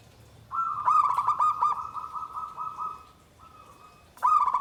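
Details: Zebra dove (perkutut) delivering a long rolling phrase of fast pulsed coos that settles into an even drawn-out tone, then a fresh loud burst begins.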